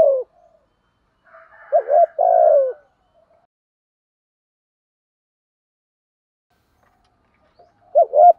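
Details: Spotted dove urging coo (gù thúc), meant to stimulate males: one low double-note phrase ending in a longer falling coo, with a faint higher rasping note before it, then long silence and a final short coo.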